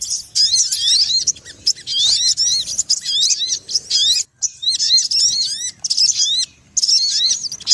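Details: Sogon used as a lure call for trapping, described as very noisy: dense, rapid high chirps and upswept whistled notes in tangled bursts, with brief pauses near four and six and a half seconds.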